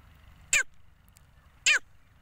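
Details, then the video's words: Female grey francolin calling: two loud, harsh, downward-sweeping notes about a second apart over a steady low rumbling background. "Dakni nar ki awaz | female voice | grey francolin"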